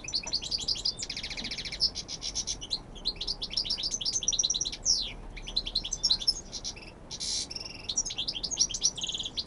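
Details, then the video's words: Goldfinch song from Almería, Spain, a prized 'jilguerazo' of the silvestrismo tradition: rapid chattering phrases of bright, high twitters, metallic buzzes and quick downward slurs, delivered almost without a break. "jilguerazo almeria"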